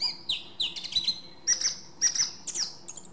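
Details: Song thrush (Turdus philomelos) singing high, sharp whistled phrases. One motif is given twice, then a higher ringing phrase is repeated twice more, in quick succession and clear against a quiet background.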